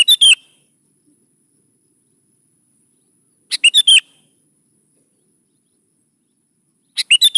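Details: Sooty-headed bulbul song meant to lure young birds into singing along: three short phrases of rapid, sharp, slurred notes repeated about every three and a half seconds, separated by silence.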